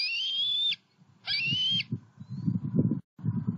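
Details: Juvenile bald eagles in Southwest Florida, July 2020, moving from nest to pond to a snag tree; two long whistled squeals, then gusty low wind noise.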